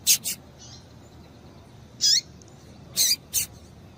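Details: Calls of a female double-collared seedeater used to excite males, a pair of quick sharp chirps, then a single descending note and two more close together, high-pitched and crisp over low hiss.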